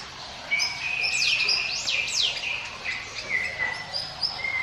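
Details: Hill Prinia singing its 'ngiwit wit' style song, offered as a lure for other birds: high thin whistles and steep up-and-down sweeping notes, with a long flat whistle that drops at the end, over faint background hiss.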